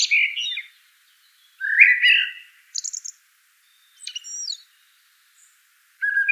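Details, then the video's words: Common blackbird singing: low fluted, warbling phrases near the lower range, separated by pauses, each followed by a thin, high squeaky twitter. No other sounds. "Bird Natural Sound.Common Blackbird"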